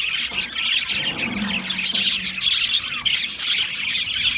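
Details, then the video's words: Australian parrots chirping together, overlapping high twitters and squeaky notes with a short louder flurry midway, over a faint low tone. "Beautiful Australian Parrots Chirping sounds beautiful Parrots Sounds"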